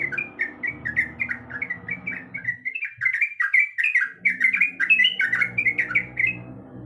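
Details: Female sooty-headed bulbul, birahi, calling a male: rapid rolling chatter of short downward-slurred notes, pausing for a moment midway, then louder and denser, with some low room hum.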